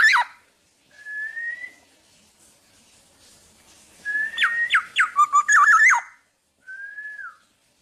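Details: Tame black-naped oriole kept without a cage, singing actively: clear level whistles at the start and end frame a burst of steep downslurred notes and a rich, warbling fluty flourish, with quiet pauses between.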